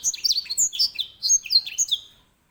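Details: Grey singing finch singing a fast jumble of high chirps and whistled slurs, some sweeping down, others rising, in a continuous twittering phrase lasting about two seconds.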